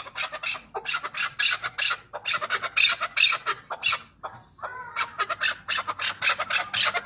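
A chukar gives harsh, scratchy clucking notes in quick runs of about four or five a second. A short pause comes midway, then the chattering resumes.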